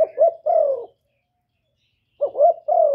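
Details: Calling coo of a spotted dove. Two soft, low coo phrases are separated by a silent pause, each a brief rising note running into a drawn-out falling coo.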